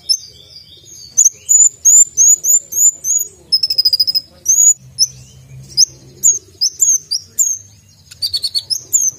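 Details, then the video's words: Brown-throated sunbird delivering a varied, sharp song: strings of high, flicked whistles, a rapid buzzy trill mid-way, then more piercing chirps and stuttering rattles, loud and insistent throughout; faint low rumble behind. "konin gacor full isian tembakan suara tajam"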